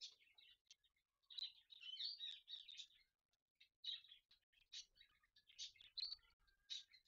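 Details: A pair of rose-ringed parakeets in the morning during mating time give harsh, high chattering bursts and squawks in quick irregular runs, pausing briefly between bouts.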